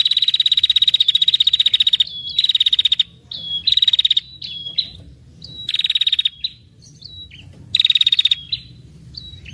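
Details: Female red-headed prinia giving its long 'ngetir' trill to draw in males: a two-second rapid high rattle-like trill, followed by several shorter half-second trill bursts interspersed with faint thin whistled notes.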